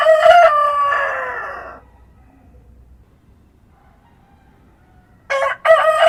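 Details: Farm rooster crowing at dawn: a long, harsh, harmonic crow fading downward, several seconds of near-silence with a faint tone, then a fresh crow starting with two sharp notes.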